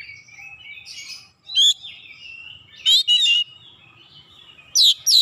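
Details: Oriental magpie-robin singing in fast, energetic gacor style, meant to stir other magpie-robins into singing: loud clipped bursts of sharp whistles and chattering trills at about 1.6, 3 and 5 seconds over a faint, wavering whistled background.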